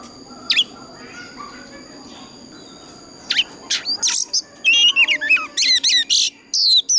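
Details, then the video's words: Oriental magpie-robin's old wild-forest voice, a lure song for training other birds. After a quiet stretch with a few isolated sharp notes, a fast burst of rapid whistles and chattering notes fills the second half. "Tiếng choè than già rừng kích hót cực căng"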